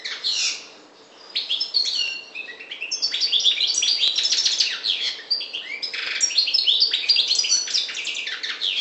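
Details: European goldfinch of the parva subspecies from the Maghreb singing a fast, tinkling twitter of high slurred and buzzy notes, briefly pausing near the start, then running on almost without break.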